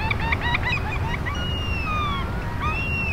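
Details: A flock of Eurasian oystercatchers on a morning shore at Funabashi Sanbanse, Chiba, Japan: a quick run of sharp piping notes, then longer drawn-out whistles sliding downward, over a steady roar of surf; binaural recording.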